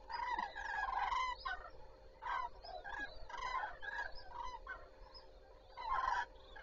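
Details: At Zastawie reservoir on 14 September 2023, common cranes start the day with loud bugling calls in distinct bursts, strongest around one, two and six seconds, quieter callers filling the gaps, over a soft steady hum.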